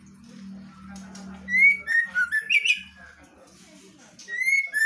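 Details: Female white-rumped shama singing vigorously in ngeplong style: steady low hum at first, then a burst of clear slurred whistles rising and falling, a quiet gap, and more bright whistled notes at the end.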